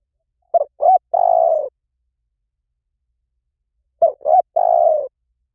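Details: Spotted dove 'liw tan' call for luring and training: the same three-part phrase twice, about three and a half seconds apart. Each phrase has two quick hoots and a long, burry, falling coo.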